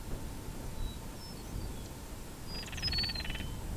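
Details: Northern crested caracara calling during the breeding season, recorded on a Canon SX70HS camera: a hollow, buzzy, pulsed rattle lasting about a second near the end, preceded by a few thin high whistled notes, over steady low wind rumble.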